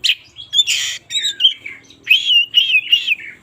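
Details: Oriental magpie-robin singing in the morning, loud continuous whistled and warbled phrases with rising and falling notes and a few harsh buzzy bursts.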